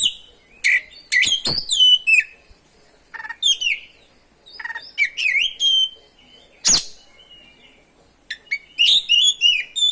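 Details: Oriental magpie-robin singing an energetic ngerol song used to excite other magpie-robins; varied whistled phrases mixed with sharp, clicking, broadband notes, delivered in uneven bursts throughout.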